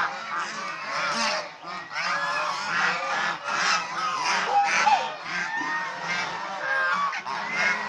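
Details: Domestic Chinese swan geese in a long stretch of group activity, including bathing and fighting. Honks rise and fall in loose waves, overlapping heavily, with brief slight lulls between louder clusters of calls.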